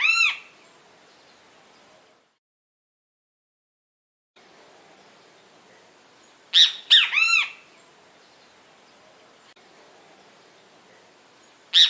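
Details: Bem-te-vi, the great kiskadee, heard in loud bursts of harsh, ringing, down-arched notes: one at the start, a three-note phrase around the middle, and another note at the end, separated by quiet gaps.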